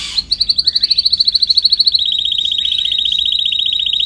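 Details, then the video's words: Canary on a training recording gives a loud, clearly pulsed high trill of about twelve notes a second, then shifts slightly lower into a faster, smoother roll held to the end. "Canary singing"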